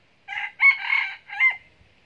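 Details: Red junglefowl decoy rooster, a cock noted for crowing often, kept for sale as a breeding and decoy bird in Binh Phuoc, Vietnam; a short three-part crow, a brief opening note, a long loud middle phrase, then a rising end note.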